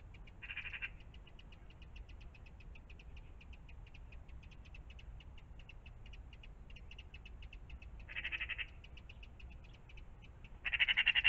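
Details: Morning magpies around a pond give three short, harsh rattling bursts, the last and loudest at the end, over a continuous faint ticking chorus and low traffic-like rumble.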